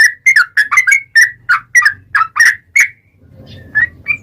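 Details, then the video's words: Lively bubbly phrases from a yellow-vented bulbul in full gacor ropel song, used as a lure to start other bulbuls singing; chirpy warbled notes come about three per second, then trail off into soft background noise. "KICAU SUARA trucukan gacor ROPEL panjang pancingan trucukan agar bunyi FULL GACOR"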